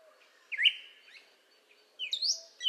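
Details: Northern Cardinal singing: two clear slurred whistled notes about one and a half seconds apart, the second rising then falling, with a fainter note between them and a soft low hum underneath.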